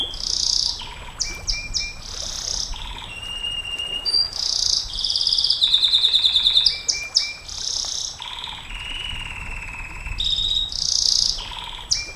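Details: Canary delivering long song phrases for tutoring and luring champion canaries: alternating high buzzy trills, pure lower whistles and a fast rattling run in the middle, phrases shifting every second or so.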